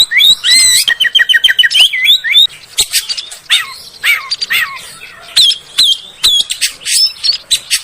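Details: Oriental magpie-robin lure song for settled and juvenile birds: a rapid run of repeated stacked chirps, then whistled slurs, harsh buzzes and clicks in a busy, varied stream.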